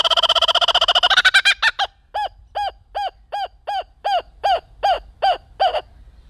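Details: Foster, a male laughing kookaburra at Sacramento Zoo, gives his territorial call: a rapid rolling chuckle slowing into loud, evenly spaced hooting 'ha' notes about every third of a second, fading at the end.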